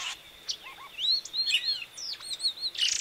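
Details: Song of a Variable oriole (Icterus pyrrhopterus), known in Brazil as Encontro: looping whistled slurs and short upward-swept notes weaving together, ending in a loud raspy burst, with a faint constant high tone behind.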